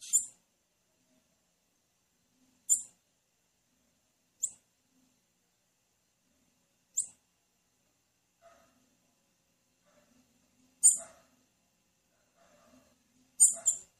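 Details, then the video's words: Female blue-black grassquit calling, a call meant to get males singing: short, sharp, very high chips spaced about two seconds apart, roughly seven over fourteen seconds, with faint soft lower sounds between some chips. "O MELHOR PIADO DE FÊMEA DE TIZIU, DUVIDO SEU TIZIU NÃO CANTAR"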